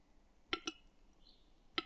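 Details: Western capercaillie in spring in the Harghita mountains, Romania, giving sharp, dry clicks: two in quick succession, then a third about a second later, over a quiet background.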